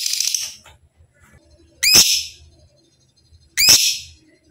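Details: Kept lovebird on a master recording meant to teach other lovebirds to sing often and to learn the long ngekek trill: a short buzzy rattling trill, then two loud, sharp, high chirps spaced about two seconds apart.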